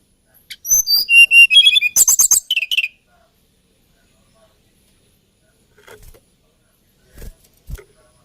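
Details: Hill blue flycatcher (Cyornis banyumas), locally tledekan gunung, a songbird of Java and Kalimantan, giving a lilting song: a rapid two-second burst of high, sweet whistled and trilled notes, then near silence with a few faint soft taps.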